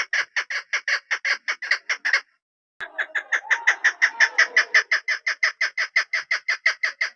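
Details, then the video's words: Hunting female chukar partridge calling in a steady run of rapid, rasping chuk notes, a brief pause near two seconds, then the series resumes; a faint low whine runs beneath the middle section. "desi made ki khobsort awaz .. sound of keklik..sawt shakra.. ses sound..pahri madi.. shikari madi."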